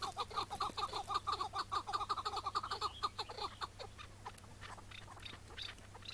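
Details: Chukar partridge during a May 2017 morning trap hunt, freed afterwards. A quick train of chuck notes runs for about three seconds, then fades to scattered softer sounds.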